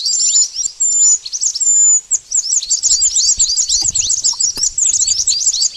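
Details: Pied bush chat calls played to lure birds for trapping: a few thin whistles open into fast, crowded, high chirps that run on steadily.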